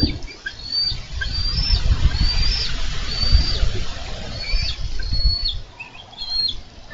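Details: Bald eagles on a Minnesota nest camera, 4 July 2013, struggle over a carp. Scattered high whistled notes slur downward over a steady low rushing background.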